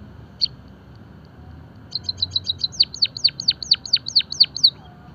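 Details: A Java sparrow in song gives a quick run of about a dozen high, bright chips after one lone opening note, the later chips sliding sharply downward.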